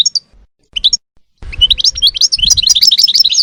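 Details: European goldfinch: a few separate high chirps, then a dense, fast, liquid twittering warble running without pause over a low background rumble.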